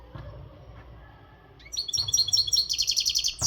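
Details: European goldfinch of the Maghreb type, untutored, singing its readiness song with strength and energy: after a quiet start, a fast run of bright, buzzy, high trilled notes repeated rapidly over a faint low background hum.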